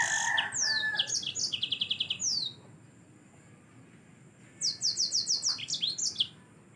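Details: A yellow-fronted canary singing in gacor style for Indonesian masteran training gives two separate bursts of song: high slurred whistles and a rapid trill, then near-silence, then another quick string of descending notes.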